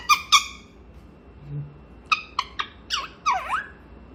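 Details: Indoor grey parrot in a morning chatter session: two loud squawks, a pause with a faint low hum, then quick harsh notes and a swooping whistled call.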